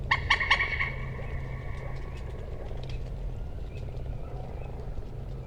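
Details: Common moorhen giving one quick burst of three harsh, ringing clucks at the start, followed by several seconds of low rumbling background noise.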